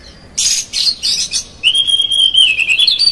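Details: Oriental magpie-robin singing rough, varied phrases to stir up another magpie-robin: a burst of scratchy, noisy notes, then a long sustained whistle that wavers and steps up near the end.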